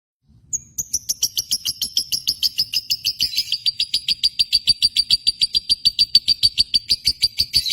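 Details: Lovebird in Indonesia, kept as a pet bird, giving a long fast run of sharp high chirps, about three per second, steady and evenly spaced, starting with a rising whistle and then slowly sinking in pitch.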